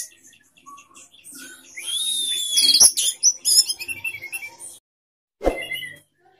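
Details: Orange-headed thrush, a caged contest bird, singing in sapu jagat style with tail spread: loud high whistled phrases and rapid varied chirps broken by sharp clicks, then a short pause and one final burst.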